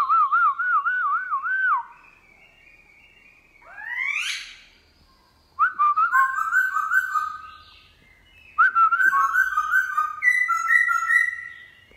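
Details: Black-throated laughingthrush, wild-caught and kept caged, giving its forest-voice song in the morning: looping whistled warbles, a swift rising sweep, then bursts of rapid fluttering trills with brief gaps between phrases.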